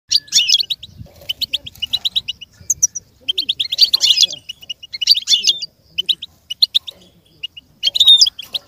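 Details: Goldfinch song used as stimulation for goldfinches to learn and imitate sounds: rapid, high tinkling twitters in dense bursts, brief pauses near three and six seconds, faint low rustling beneath.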